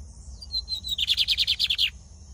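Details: Lined seedeater with brown plumage, from Brazil, giving thin high introductory notes and then a rhythmic buzzy trill of about ten pulses, over a faint steady high tone.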